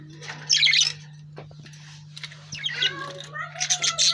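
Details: Lovebird chirping: bursts of bright, harsh, high chirps and squawks in short clusters around the start, middle and end, with a steady low hum underneath throughout.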